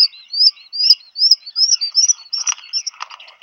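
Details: Black guillemot at a burrow on Seal Island National Wildlife Refuge, Maine, USA, June 2020, as a mate arrives with food for a chick; a rapid series of high thin whistles rising slightly, then harsher mixed notes.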